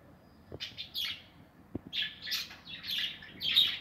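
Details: Several budgerigars in a breeding aviary with nests, 2020: warbling, scratchy chirps come in rising waves, growing louder toward the end, with a few short taps in the background.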